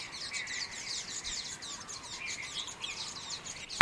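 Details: Common waxbills, escaped cage birds, recorded in Kaohsiung, Taiwan, on 18 January 2018. Several birds twitter in an overlapping, steady stream of thin, high chirps, and a sharp click sounds at the very end.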